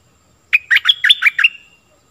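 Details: Stripe-throated bulbul song used to train young birds: one quick, bubbly phrase of five or six rich, warbled notes over about a second, ending in a thin trailing whistle.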